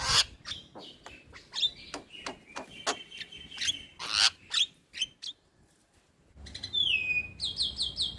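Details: Starling song used as a tutor for young birds: a rapid string of clicks and short whistles, a brief pause, then a clear descending whistle followed by repeated high chirps.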